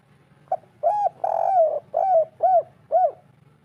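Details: Spotted dove with a local natural voice in the 'kuk 3' pattern, used to coax a quiet bird into calling: a short note, a long wavering coo, then three low rounded coos in quick succession.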